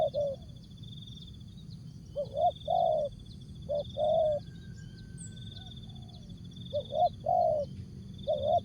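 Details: Spotted dove song, jergot, tapau and bungkus styles: repeated phrases of quick rising coos followed by a longer falling coo, spaced a few seconds apart, with a continuous high buzzing insect-like trill and low rumble.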